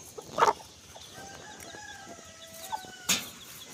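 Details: Free-range mother hen leading her chicks to forage near the coop before dusk, giving soft, drawn-out, low tonal notes amid scattered scratching and pecking sounds on the ground.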